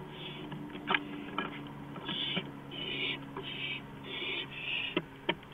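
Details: Porch owl, night of April 5, 2015 at 2:05 AM, lets out several raspy hissing screeches, interspersed with sharp clicks and taps, over a constant electrical hum.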